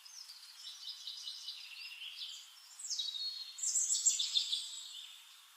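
Flame-faced tanager giving thin, very high, sibilant twittering notes in quick buzzy runs that grow louder toward the end, over a soft background hiss.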